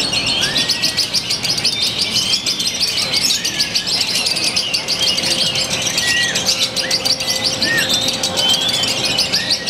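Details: Lovebird from Purwakarta city, Indonesia, performing its new, unusual style with very short pauses: a dense, high, buzzy trill running unbroken for the whole stretch, with occasional short whistled chirps from other birds nearby.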